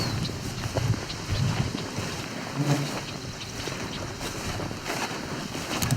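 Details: Wind buffets the microphone over the rush of water and a boat, with no animal sound.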